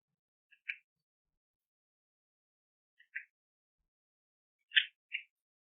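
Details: Red-flanked Bluetail (Tarsiger cyanurus) giving its ground call: short, dry, scratchy 'jji-jit' notes, some with a faint lead-in tick, spaced two to three seconds apart against silence.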